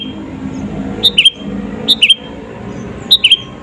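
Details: Sooty-headed bulbul lure song for provoking rivals: three brief phrases of two or three bubbly notes, each dropping slightly, spaced about a second apart against a low rumble.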